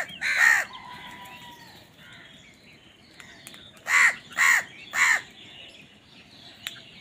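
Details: Crow fighting over food, giving harsh caws: one loud caw at the start, then after a quieter stretch three caws in quick succession about half a second apart.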